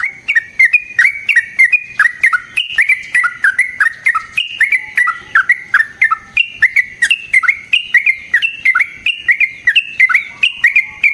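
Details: Yellow-vented bulbul delivering a long fighting song, a lure for other trucukan: continuous, clear, rapid bubbling phrases of rising and falling notes, closely repeated for over ten seconds without break.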